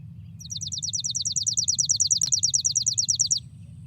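A Chipping Sparrow gives a dry, high trill of rapid identical notes lasting about three seconds, over a faint low rumble and a single click.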